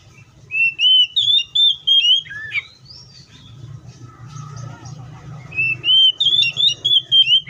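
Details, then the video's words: Oriental magpie-robin singing in the wild: a rapid run of clear rising and falling whistles, a pause filled with faint distant calls and low hum, then the whistled phrase returns. "THIS COPSYCHUS SAUCARIS BIRD MOST LUXURIOUS SOUNDS LIKE IN THE WILD!"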